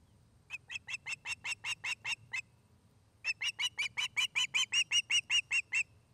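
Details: Nest-cam recording of an osprey in Charlo, Montana, in August: two bouts of loud, evenly repeated piercing chirps, roughly three per second, separated by a short pause, with low rumbling hum beneath.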